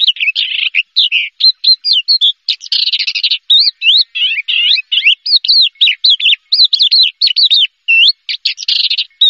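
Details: Javan bush lark, first-place contest winner, delivering a dense, varied song of chirps, buzzy rattles and wavering whistled slurs, almost without pause across nine seconds, nothing else audible.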